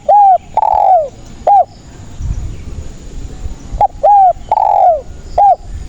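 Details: Loud spotted dove song, used to lure doves for trapping: two phrases, each with clipped coos, a level coo and a long coo sliding downward, repeated about three seconds apart.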